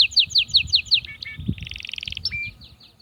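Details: An Atlantic canary singing to stimulate females to mate: a series of bright, falling whistled notes about five times per second, a short chattering pair, then a steady buzzing trill ending in a sharp upslurred note.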